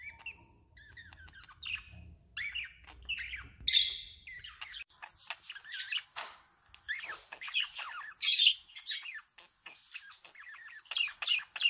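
A male budgerigar's warble: a fast, rambling run of chirps, squeaky clicks and harsh bursts, with brief pauses between phrases and a faint low hum early on.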